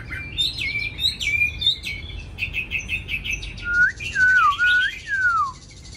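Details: Caged hwamei from Hanoi, sold as a bird that sings without hesitation. Quick chirpy phrases give way to a few loud, pure whistles that rise, dip and glide downward, then the song stops.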